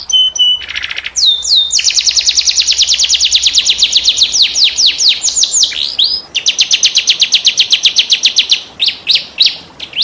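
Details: Vigorous canary song in a unique style (cengkok unik), played as master song for tutoring other canaries: long, rapid trills of high whistled sweeps, about four per second, broken by brief buzzy phrases and changes of syllable.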